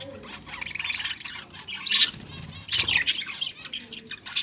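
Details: Pet budgerigars eating a seed mix give short, scratchy chirps and squawks in brief bursts, with soft rustling between calls.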